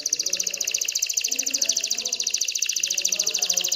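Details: Excited canary song to stimulate females to pair and build a nest; a continuous rapid high rattle of evenly repeated notes, about four per second's tenth, with faint low background noise.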